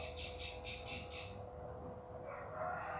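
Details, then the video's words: Bar-winged prinia training recording: one rapid high trill of about five pulses lasting over a second, followed by softer lower chattering notes, with a constant low hum behind. "Masteran Burung Ciblek Pari Gacor"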